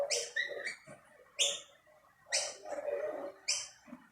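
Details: At shared snack plates a dominant male rainbow lorikeet chases other birds away from the food. Harsh high squawks, some double, arrive about every second over a bed of lower, mumbled chatter.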